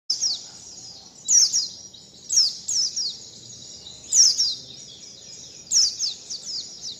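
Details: Bird learning the 'wit wit zipeer' song pattern: high, thin, sharply downslurred whistled notes in quick bursts of two or three, repeating roughly every one to one and a half seconds over a faint low background hiss.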